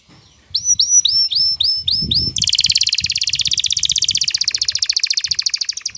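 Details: Breeding-ready male canary singing to a female to prompt mating: seven clear rising whistled notes repeated steadily, then an unbroken fast, buzzy, rolling trill for several seconds.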